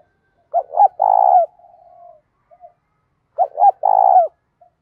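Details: A spotted dove gives its morning lure call for wild doves, in the "thổ pha thúc" style. Two loud phrases, each a quick rising double note and a long sustained coo, are separated by a quiet trailing murmur.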